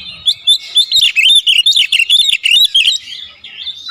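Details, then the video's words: Oriental magpie-robin (kacer), full isian training song: a quick burst of twittering, slurred whistles delivered about three per second, ending in a softer, drawn-out note. "Masteran Burung Kacer Full Isian Dengan Nada Panggilan 100% Nyaut"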